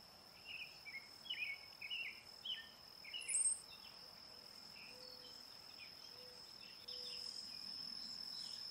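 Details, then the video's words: Brown-headed cowbird: a series of short slurred middle-pitched notes and one sharp, very high squeaky burst, then fading to a steady insect drone with faint low tones. "Brown headed cowbird call / song / sound"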